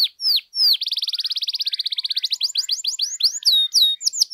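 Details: Canary singing to rouse other canaries: two sharp falling whistles, then a long rapid rolling trill of evenly spaced notes, breaking into quick swept chirps and high descending whistles.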